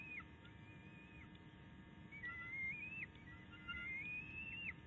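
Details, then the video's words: On an Illinois nest in May 2019, a bald eagle eaglet keeps vocalizing after a tiff with its mother: faint, drawn-out high whistles that rise and then drop sharply, in two main phrases over a low background hum. "no. 2 still complaining"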